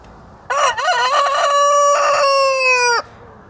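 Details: Criollo rooster of the batarazo type crowing: a loud harsh start breaking into a long, sustained, level cry held for about two seconds, then cutting off sharply.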